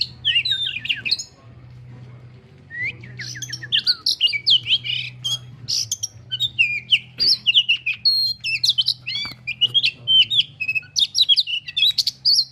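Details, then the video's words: Agitated oriental magpie-robin reacting to a rival. A burst of dense, squawky warbling is followed by a brief lull, then a long stretch of fast, varied whistles, chirps and harsh notes, all against a constant low background hum. "burung kacer emosi ketika lihat lawannya"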